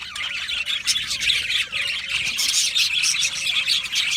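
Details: Aviary colony of Australian budgerigars, continuous chirping and chattering warble from many birds, quick squeaky notes overlapping without a break.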